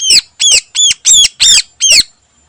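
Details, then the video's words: Greater green leafbird, an active morning singer with mimicked phrases, gives six loud harsh arched notes spaced about a third of a second apart, each dropping in pitch, then silence. "Burung Cucak Ijo Full Isian Istimewa Gacor Pagi Hari"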